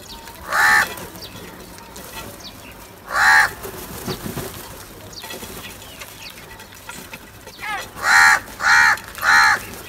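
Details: Crow caws separated by a long pause: a single caw early, another near three seconds, faint murmuring in between, then a quick run of three harsh caws close together at the end.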